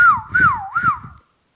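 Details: Ringneck parrot kept as a pet gives one long siren-like whistle that wavers up and down three times, over a low rumbling background.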